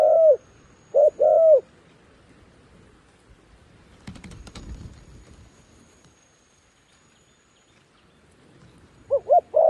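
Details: Decoy dove calling wild doves down near a trap: short low coos at the start, a brief rustling burst midway, a long quiet gap, then quick coos resuming at the end.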